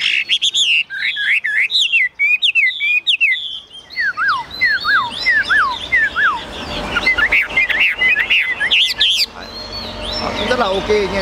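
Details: A tame caged Chinese hwamei sings bright trills, then clear descending whistles and a dense warbling stretch. It ends in softer, scratchier notes.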